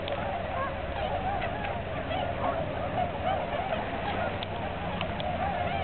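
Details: A flock of about 2,478 migrating Tundra swans at Aylmer Wildlife Management Area on 15 March 2009 gives a steady chorus of overlapping, mellow, high-pitched whooping and honking calls over a low background rumble.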